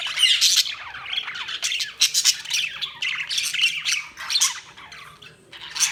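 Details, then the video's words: Several budgerigars chattering in busy, harsh bursts of high squawks and rapid warbling chirps, around four bursts a second, irregular and overlapping, with brief quieter gaps. "Budgies Chirping sound"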